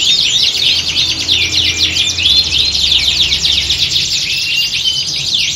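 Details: A canary chorus for competition training; bright, rapid trills and looping whistled phrases stack over one another in a steady, dense wall of high song, over a faint low drone.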